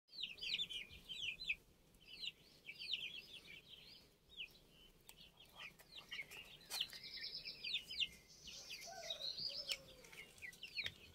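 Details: Older domestic chicks recorded on 29 June, a crowd of them peeping constantly: high, thin, downward-sliding cheeps repeated rapidly and overlapping, with scattered sharp clicks and knocks.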